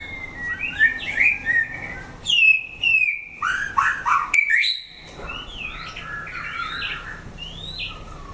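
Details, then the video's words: White-rumped shama, a fighting bird under test, singing loud varied phrases of whistles, slurred notes and rapid chattering trills in an irregular run, with short pauses between bursts. "Chảo lửa test chim đấu (shama bird singing)"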